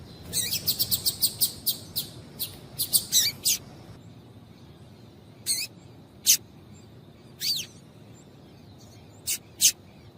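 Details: Call of a female double-collared seedeater, meant to stimulate males to sing: a quick run of sharp, very high ticking chirps in the first few seconds, then isolated piercing chips spaced a second or more apart.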